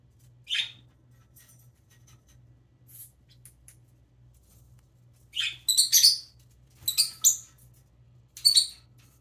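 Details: A baby parrotlet, preening, gives short, sharp high chirps, single at first and then in quick clusters of two or three, over a faint low hum.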